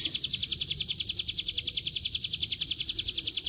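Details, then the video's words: Bar-winged prinia lure song in gacor ngebren style, an unbroken run of shrill, even chirps repeated around three and a half per second, each note sharp-edged and equally loud. "Pancingan bunyi CIBLEK GUNUNG dengan suara ciblek gunung GACOR NGEBREN"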